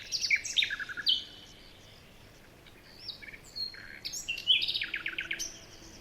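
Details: Morning forest birdsong with several chirping birds: quick high slurred whistles and short trills in two bursts separated by a quiet gap, light background hiss.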